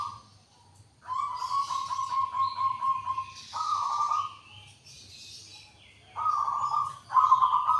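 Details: Zebra dove of the local Indonesian type, prized by keepers for its distinctive voice, giving sustained low cooing phrases with rolling repeated notes in long bouts separated by short pauses, with faint higher chirps from other birds in the background.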